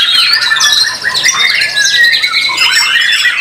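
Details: White-rumped shama singing in a songbird competition in Indonesia, praised for song rhythm, power and long working duration; a dense, fast run of whistled and chattering phrases, sliding up and down, with no pauses.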